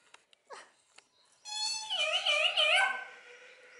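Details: Talkative common hill myna at a zoo bird garden in Upie, Drôme, France: a few clicks, then a long rich harmonic call that wavers and warbles for about one and a half seconds.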